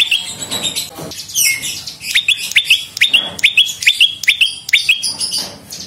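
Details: Lumut prinia lure song: after a burst of mixed high twitters, a run of about ten sharp descending notes, each a whistled drop followed by a short tail, repeated roughly twice a second.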